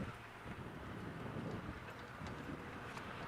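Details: Steady low rumble of wind buffeting the microphone, with a vehicle-like drone and no animal calls.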